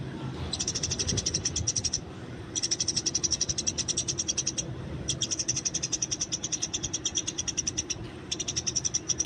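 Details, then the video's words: Eurasian tree sparrow calling in the wild during a fight, giving long trains of very rapid, high, ticking chirps in four bursts, each about two seconds long. "masteran burung gereja di alam bebas"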